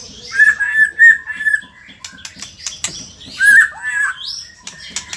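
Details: White-rumped shama, Indonesia: sparse clear whistles held on one pitch, a pause with scattered clicks and ticks, then a fuller warbled whistle and a thin rising note.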